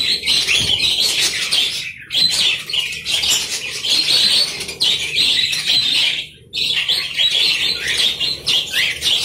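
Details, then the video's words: A budgerigar colony in an aviary chatters almost without pause, a dense mix of scratchy warbles and bright chirps, with a few brief gaps and some wing flutters. "Koloni Burung Parkit"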